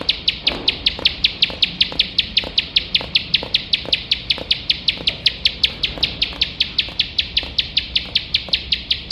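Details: Competition-training recording of a bar-winged prinia in relentless 'nembak' song: crisp high chirps hammered out in an unbroken, regular chain, near five per second, over a quiet low background.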